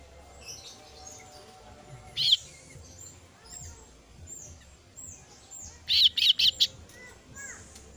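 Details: Young female kasu-kasu bird begging from its parent: one sharp high chirp, a quiet gap with soft distant twitters, then a tight burst of three or four loud, piercing high notes.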